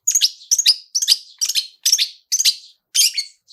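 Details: Rapid "toet toet" phrases of a long-tailed shrike, a lure with rich filling to start other birds singing: seven dense, harsh double notes in three and a half seconds, each bright at the start, then raspy.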